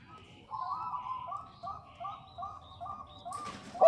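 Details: Bangkok-type zebra dove, a female calling the male. Faint, soft cooing notes repeat about every quarter second in a steady run, ending with a sudden loud clatter and a short, louder tonal note.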